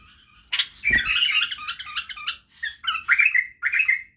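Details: Song of a white-eared bulbul used to teach chicks to sing: lively, slurred warbling phrases broken by short gaps, with a low knock early on.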